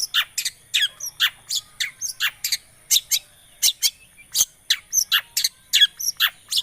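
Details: Lure recording of a long-tailed shrike to spark song in a quiet bird: dense, uneven chatter of sharp scratchy notes and short chirps, fast and continuous, with a thin high steady tone.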